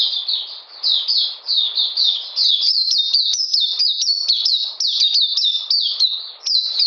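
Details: Cold, rainy weather on 13 June 2020; an Oriental magpie-robin pours out rapid high whistles, first smoother slurred phrases, then sharper clipped notes repeated in quick, even succession.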